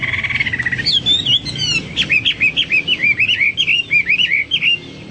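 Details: Hwamei in lively song as a tutor for pet birds: an opening steady whistle, then a long series of rapid, rolling whistled notes that dip and rise, evenly spaced.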